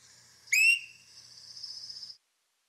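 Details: A Swainson's Thrush gives its late-season peep call, one short, bright, upslurred peep, followed by a thin, steady high whine that fades after about a second and a half; this peep is heard at night in fall.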